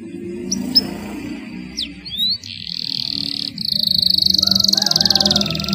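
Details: A canary song played as a lure to get quiet, reluctant canaries singing: a few clear upslurred whistles, then a steady buzzy roll and a fast, bright, high rattling trill over a low hum.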